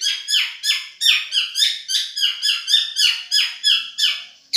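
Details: Madura long-tailed shrike in a tutoring recording: a rapid string of scratchy downward-slurred notes, roughly three per second, evenly paced and high, indoors.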